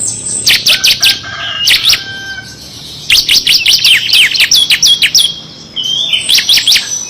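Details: Kristal bar-winged prinia in full ngebren song with six variations, used for tutoring contest birds: bursts of rapid high ticking notes, then a long fast chirping phrase, a pause, and another short burst.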